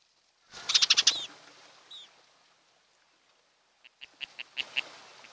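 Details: Osprey pair at their nest on Kent Island, Maryland, on a June morning, mated for life and returned from wintering in Central and South America; a rapid burst of high, sharp chirps, then a pause and a second, softer series of piping notes.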